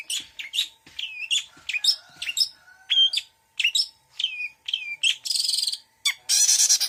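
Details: Long-tailed shrike singing a full mixed song of varied fill-in phrases: sharp chirps, whistled downslurs and rising notes in quick series, ending in two harsh buzzy rasps, with a faint steady hum behind.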